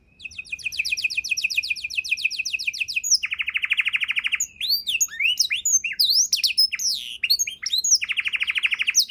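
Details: Canary 'isian' tutor song: a long fast trill of upswept notes, then a low buzzy rolled tour, then looping whistled sweeps and another buzzy roll.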